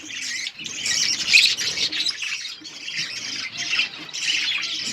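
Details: Breeding budgerigars feeding their chicks, heard as a steady wash of bright, scratchy chirps and squawks from many birds overlapping without a break.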